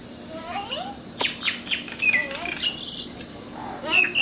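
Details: Sri Lankan myna visiting a house doorstep, giving a run of varied whistled notes, rising and falling slurs and short chirps, several per second, with a sharp click and faint background noise.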